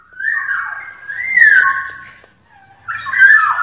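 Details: Black-naped oriole whistling three slurred, flute-like notes. The middle note rises and then falls, and a short pause comes before the last bright whistle.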